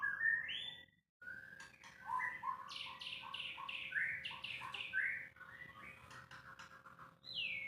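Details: White-rumped shama singing an unedited song: a rich run of clear whistles, rising slurs and quick fluty notes, broken by a short pause near the start, over a steady low electrical hum.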